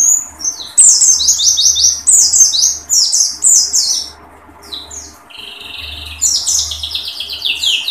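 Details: Oriental white-eye delivering dakun-style song bursts with its beak open, long runs of very high, fast, sliding chirps broken by brief quiet gaps, over a faint low hum.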